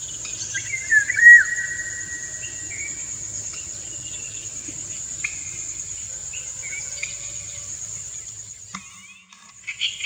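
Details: A courting male Indian golden oriole sings to a dancing female; a bright, fluty whistle gliding down opens the clip, with softer notes afterwards and continuous high insect buzzing in the background.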